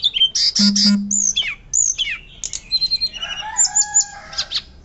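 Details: A Hill blue flycatcher sings loudly in full song: a rapid, varied run of high whistles, sweeping slurs and sharp notes, with a low steady hum beneath.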